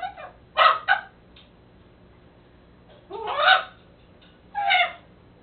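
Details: A captive-raised pet raven, a White-necked × Common Raven hybrid male, babbling while playing with toys: harsh bark-like croaks, a quick pair then two longer gurgling notes about 1.5 seconds apart.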